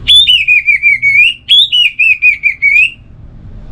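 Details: Relaxed song of an orange-headed thrush: two matching phrases, each opening on a high clear whistle, then dropping into a string of quick wavering whistled notes that rises again at the end.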